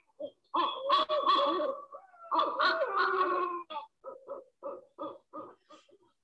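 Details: Barred owl, resident year-round and not really migratory, recorded in the eastern United States. Loud, hoarse, wavering hoots in two long drawn-out phrases, then a series of about eight shorter clipped hoots in quick succession. The phrasing follows the 'who cooks for you, who cooks for you all' mnemonic.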